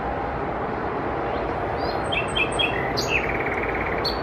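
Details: A common nightingale, hidden deep in trees, sings short varied phrases of high notes and a rapid rattling trill over steady roaring background traffic noise.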